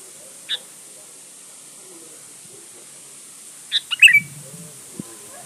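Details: Sooty-headed bulbul singing, played as a lure for calling rivals. A single isolated note, then after a long gap a rapid bubbly phrase of several liquid notes with a slurred whistled ending. Soft rustling and low murmurs follow.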